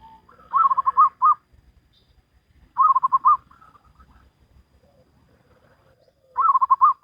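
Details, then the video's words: Local wild zebra dove singing in the salendro rhythm style: three loud rolling phrases of rapid, bubbling coo pulses, spaced roughly two to three seconds apart, with faint quiet coos in between. "Perkutut Lokal Alam Manggung Gayer Irama Salendro"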